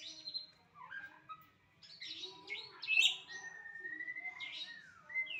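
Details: White-rumped shama delivering scattered clear whistles, short slurred notes and a long level whistle, with sharp high chips between phrases in a quiet setting.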